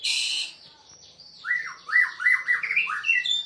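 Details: Seven-month-old White-rumped Shama of the Aceh type in a bowing display: a harsh buzzy burst, then a series of loud looping whistles rising and dropping, about three per second.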